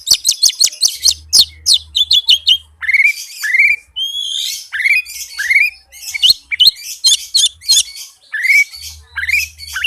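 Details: Oriental magpie-robin (kacer) with speedy, tightly packed song for luring a hesitant kacer into singing; quick clicking ticks, then repeated rising upslurred whistles mixed with buzzy high chatter, over a low electrical hum.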